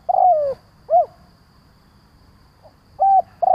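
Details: Decoy spotted dove giving its lure call to draw in other doves. A drawn-out descending coo followed by a short hollow note, then after a pause another phrase begins with a flat, even coo.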